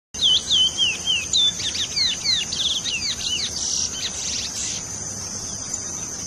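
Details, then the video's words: An indigo bunting sings a quick, bright series of high paired notes over about two seconds, while a steady insect drone hums throughout. "indigo bird singing"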